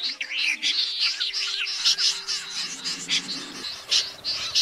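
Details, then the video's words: Common snipe flock calls played in August 2024 from two speakers to lure young and adult birds into night nets: dense, overlapping, harsh high rasping notes, with a steady low electronic hum beneath. "Tiếng SÂM GIUN , Dẽ giun thường gọi rút xoáy ra 2 vế"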